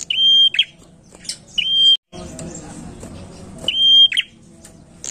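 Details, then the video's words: Lure recording of a prinia singing energetically. Piercing level whistled notes end in brief buzzy twists, given in three bursts. A short dropout and a stretch of broadband rustling noise break the middle. "pancingan prenjak gacor enak"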